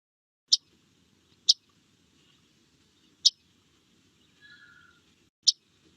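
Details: A Yellow-rumped Warbler, a backyard bird of Contra Costa County, gives its call: four sharp, high 'chek' notes at uneven intervals, with a faint brief buzzy note between the last two, over soft background hiss.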